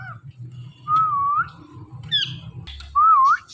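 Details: Indian ringneck parakeet that talks and mimics speech, giving two clear wavering whistles a couple of seconds apart with a brief raspy syllable between them, against a quiet indoor background.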